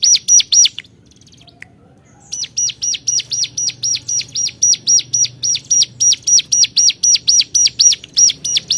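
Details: Hill prinia challenging rivals: two high notes, a silent gap of about two seconds, then a long rapid series of piercing notes repeated around four times a second.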